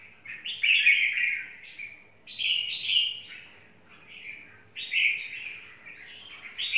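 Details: Four clear, warbled song phrases from a red-whiskered bulbul ('mộc' type), delivered roughly every two seconds with quiet gaps in between.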